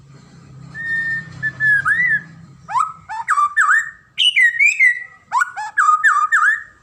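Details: White-rumped shama (murai batu) singing: a long level whistle, then varied rising and dipping whistled phrases with sharp upslurs in quick bursts, over a low hum that fades early.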